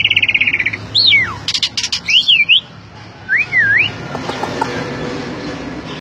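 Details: Asian pied starling (jalak suren) song in ngentrok style: a brief rattle, then loud looping whistled notes sweeping up and down, with a few sharp clicks and quieter background noise afterwards.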